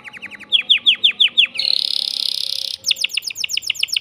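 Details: Caged male canary singing to excite a female for breeding, with quick downward-swept whistled notes in a rhythmic run, then a dense buzzy trill, then another series of rapid descending notes.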